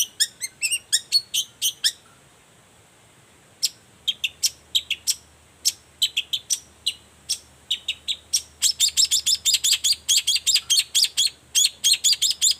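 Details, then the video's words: Energetic morning song of a long-tailed shrike, used as a lure so other shrikes answer: rapid sputtering high chatter, a pause, scattered sharp notes, then a dense rattling burst of quick repeated chirps to the end. "Suara cendet gacor Pagi Hari pancingan jitu BIKIN cendet diam langsung nyaut ikutan bunyi"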